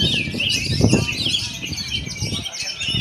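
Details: Oriental magpie-robin singing a dense run of varied high whistles and chattering notes, with low thumping noises underneath throughout.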